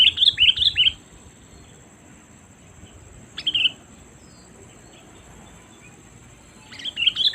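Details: Sooty-headed bulbul calling as a lure for wild birds: short bursts of bright, bubbly chirps at the start, a single sharp note midway, and more chirps at the end, separated by long gaps with a faint steady hiss.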